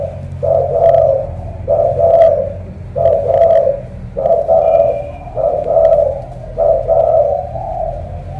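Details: Spotted dove from Ca Mau, known for a huge voice like a pigeon's, coos deep, rounded phrases in a steady series. There are about seven, roughly one every 1.2 seconds, over faint low hum and light tapping clicks.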